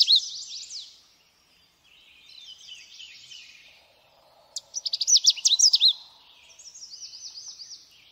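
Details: A Canada warbler trails off one song and fills a pause with soft, scratchy warbling. It then bursts into a loud, rapid string of sharp, high chips and slurred notes, followed by gentler looping, repeated notes.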